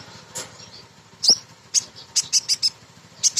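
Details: Female sunbird singing a lure song meant to provoke untrained birds into singing. Sharp, very high chips and short trills come at irregular intervals, separated by brief pauses, over a faint low hum.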